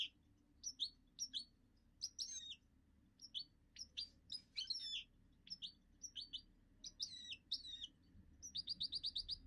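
A goldfinch mule sings a bright, twittering song of quick high notes, ending in a rapid trill.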